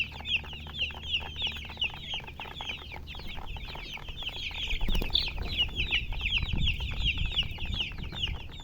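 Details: Several chicks chirping in a dense stream of high, quick peeps, roughly three per second, with a sharp click near the middle and soft low rumbling later.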